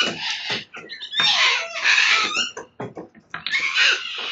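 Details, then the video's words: On the morning of 29 May 2022, a flock of sulphur-crested cockatoos chews and damages a verandah in Belgrave South, Melbourne, Australia. Several birds give harsh, raspy, overlapping screeches, each up to a second long. "Cockatoo Riot!"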